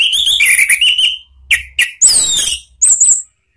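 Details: Orange-headed thrush, a ngeplong-style song used to lure and train cage birds. Rich whistled warbling gives way to short clipped notes, then high, thin, sliding chirps and twittering.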